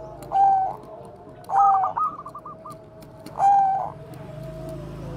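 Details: Cooing of a Bangkok zebra dove, kept as a lure for training other doves: three rich purring coo notes roughly two seconds apart, one followed by a rapid stuttering run, low hum behind.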